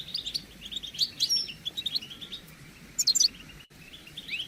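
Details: Group of European goldfinches giving collective chatter used to stimulate males to sing and mate: bursts of bright twittering notes and tinkling trills, with quieter twittering and short pauses between louder flurries.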